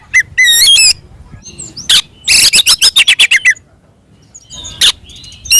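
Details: Oriental magpie-robin (kacer) fighting song for provoking other birds: a few ringing whistles, then a quick volley of harsh chattering notes, a pause with faint soft calls, and a final loud rasp.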